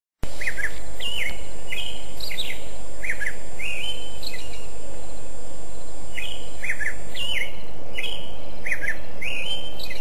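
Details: Bird song outdoors: bright chirped and whistled notes in quick short bursts, some rising, repeated through the recording over a heavy low rumble and a steady high-pitched whine.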